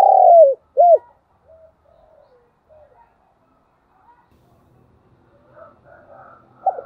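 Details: Spotted dove decoy ending a calling phrase with a long falling coo and one short arched note, followed by faint quiet sounds and a softer, more distant cooing toward the end.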